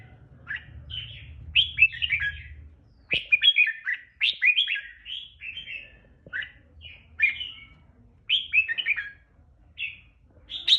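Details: Captive red-whiskered bulbul of a regional type, kept for breeding and singing contests, delivering a long song with a powerful 'ché' voice: quick bursts of bright, warbled, up-and-down whistled phrases, separated by short pauses, over faint low background rumble.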